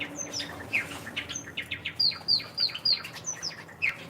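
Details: Captive zebra finches in an indoor bird room shared with Java sparrows, nesting with eggs and chicks. Short, high, sharp chirps with downward-slurred notes come about three a second, irregularly spaced, over soft wing flutters and room hum.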